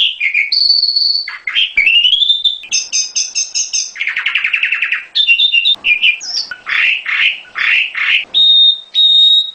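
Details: Mountain prinia lure song meant to get caged birds singing: a loud, varied stream of whistles, rapid buzzy trills and sweeping chirps, ending in repeated clear whistled notes.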